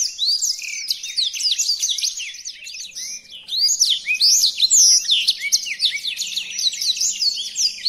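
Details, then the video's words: Blackthroat training song: a continuous, high, tumbling warble of sharp slurred notes and fluttering trills, slightly quieter in the middle, then swelling again, with a faint low hum underneath. "Burung Blackthroat Original untuk Pemasteran"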